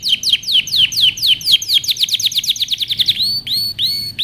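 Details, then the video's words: Canary singing strongly for training: a rhythmic series of downslurred whistled notes that speeds into a fast trill, finishing with clear upward-curving whistles. "canary singing over power canary most powerful song for best training"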